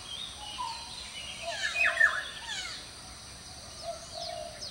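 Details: Male red-breasted parakeet at Walailak University, 18 February 2015, gives harsh squawking calls in a brief burst midway, with fainter chattering notes before and after over steady background hiss.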